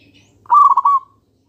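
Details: Zebra dove, local type, singing a lure song meant to make other doves reply: one short burst of fast, throbbing low coos, briefly rising then fading, in otherwise quiet surroundings.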